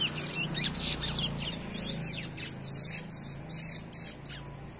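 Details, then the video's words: Young chestnut-bellied seed finch, kept and adapting to its surroundings, singing on despite surrounding noise: a string of clear, high whistled and slurred notes with rapid chirps, over a steady low background hum. "CURIÓ PARDO FILHOTE - ELE NÃO PARA DE CANTAR, NEM COM BARULHO A SUA VOLTA."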